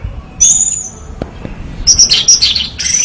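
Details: Orange-headed thrush in full song: a high whistled note near the start, then a burst of varied, rapid chirps and sharp high phrases after a short pause.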